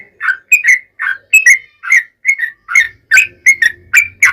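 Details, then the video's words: Yellow-vented bulbul singing in a long rapid style meant to lure others to respond. Loud, clear paired whistles sound in distinct, well-spaced bursts, some rising and some dipping, with a faint low rumble. "KICAU SUARA trucukan gacor ROPEL PANJANG pancingan trucukan agar bunyi"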